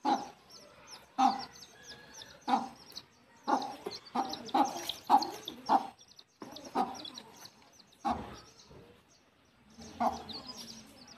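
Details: Mother hen calling her chicks back to the nest to roost: a steady run of about a dozen short, husky clucks, some in quick pairs, over faint high chick peeps.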